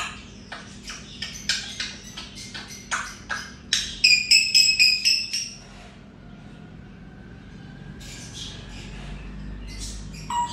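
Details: A pet grey parrot, which says "Assalamualaikum", gives a quick run of harsh clicks and squawks, about four a second, with a few ringing tones, then soft, drawn-out whistles.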